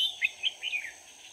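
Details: Decoy red-whiskered bulbul singing to attract wild birds into a trap, March 2019: a rapid run of short, bright, chirpy notes rising and falling, with a constant high-pitched insect drone behind it.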